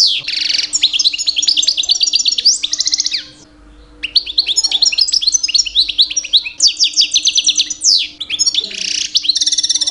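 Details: A captive two-year-old male European goldfinch sings in mating season to attract females: a fast, tinkling stream of high twitters, trills and buzzy notes in long bursts, with one brief pause; a faint low hum underneath.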